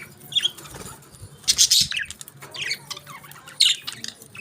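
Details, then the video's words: Budgerigars eating their favourite food: bursts of harsh chirping and squawks with soft fluttering and rustling underneath, a loud cluster of notes around one and a half seconds. "Budgies Enjoy Their Favorite Food"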